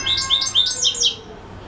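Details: European goldfinch that sings for hours without stopping: a rapid run of bright, high tinkling twitters in quick succession, about a second long, then a sudden stop with only a low hum beneath.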